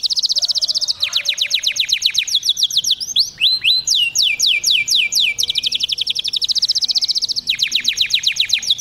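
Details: Canary singing to activate males, delivering fast rattling trills broken by a few upswept whistles midway, then returning to steady rapid chirped trills.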